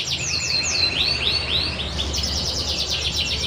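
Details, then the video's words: Panda canary in full song, repeated swooping high notes giving way to a quick, rolling twittering trill, with constant low hum behind. "Kenari panda istimewa 😍🤤 Gacorrr"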